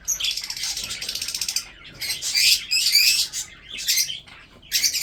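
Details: Breeding budgerigars produce a long rapid buzzy warble, then separate bursts of high scratchy chirping with short gaps.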